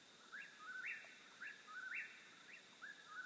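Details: Eastern whip-poor-will giving about three quick whistled phrases, each sliding low and then snapping upward, spaced roughly a second apart against steady high-pitched background hiss.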